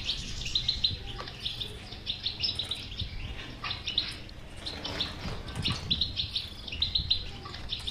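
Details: European goldfinch in a batbata-style song to urge a quiet goldfinch to sing: lively twittering phrases with ringing high notes, brief gaps between bursts, low background noise.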